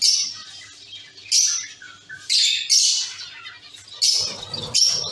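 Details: Caged zebra finch colony calling: buzzy, nasal beeps and chirps from several birds come in irregular loud bursts about every second, with quieter chatter in between.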